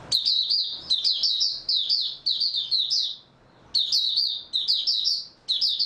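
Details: Oriental white-eye (Mata Puteh) singing rapid bursts of high, twittering, warbled notes in phrases about a second long, given repeatedly with short pauses, in a quiet setting.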